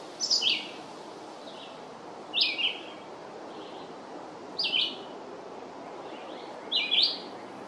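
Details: Long song of a red-eyed vireo, brief clipped high phrases sliding downward, spaced about two seconds apart against a constant low noise floor.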